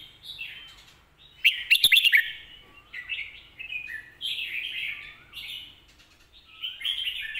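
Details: Red-whiskered bulbul song in the lak wai / mae bot style: a loud burst of quick rich notes, followed by softer rolling warbled phrases spaced a second or so apart.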